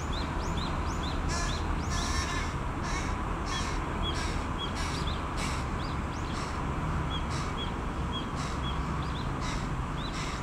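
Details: Begging from full-sized juvenile carrion crows asking a parent for food, a rapid run of hoarse caws roughly every half second to second, mixed with small upward-flicking chirps and a constant low background hum.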